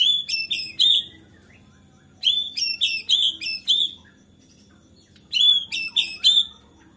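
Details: White-rumped shama in agitated singing meant to set off other shamas: clusters of sharp, high, ringing chip notes in quick bursts of four to six, separated by silent gaps of about a second.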